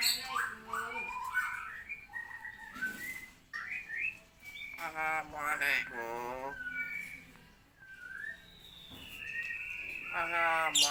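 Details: Common hill myna mimicking speech, repeating Assalamualaikum and Allahu akbar, with coughs among its copied sounds; many quick word-like syllables, short whistles and breathy bursts, with brief gaps and a loud harmonic phrase closing the stretch.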